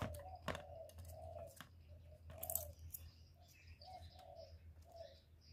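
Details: Low soft coos of a spotted dove, a sound used for trapping and to stimulate caged doves, come in uneven bursts. Sharp clicks and knocks break in, and other birds chirp faintly in the background.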